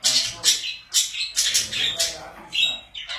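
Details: Pet budgies calling in loud, raspy bursts about every half second, scratchy squawks overlapping with chirps.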